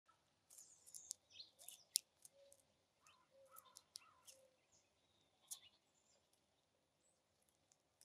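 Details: A Dark-eyed Junco feeding in snow gives faint, high, sharp ticks and brief twittering chips at irregular intervals, with soft clicks and quiet rustling beneath.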